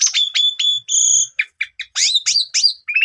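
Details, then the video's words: Asian pied starling lure song for a young bird that has stopped singing. Brief sharp chips and level whistled tones lead into scratchy chattering notes and rasping bursts, ending in a short rising whistle. "Pancingan Jitu 1 Menit !! Jalak Suren Paud Macet Tidak Mau Bunyi Langsung Gacor Bongkar Isian"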